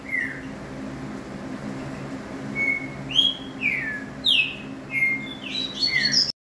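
A green-winged saltator sings a series of clear, slurred whistles, mostly falling, quickening into a busier burst at the end, over a steady low indoor hum.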